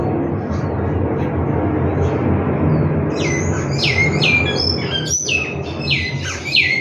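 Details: Captive large-billed seed finch at a breeding facility singing: after about three seconds of background rumble, a run of loud whistled notes, each swooping down, repeated roughly twice per second.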